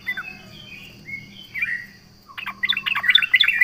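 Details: Sooty-headed bulbul (trucukan) in lively full song provoking rivals: a few bubbly whistled phrases, a short pause, then a rapid burst of chattering, jumbled notes; a steady faint hum underneath.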